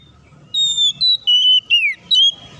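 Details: Oriental magpie-robin singing loudly and insistently, used as a lure to provoke other magpie-robins into song; a series of five clear whistled notes, level and falling, the fourth a long downward slur, over quiet low background hum.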